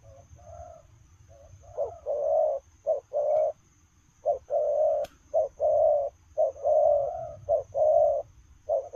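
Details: Spotted dove cooing while running about: low, hoarse coos around mid-range pitch in short and longer segments, starting faintly then louder, roughly one per second, with a faint steady high tone and low rumble behind.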